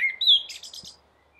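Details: Brief blackbird phrase from a roof: a smooth whistled note stepping up to a higher one, followed at once by a rapid string of thin, squeaky, high twitters.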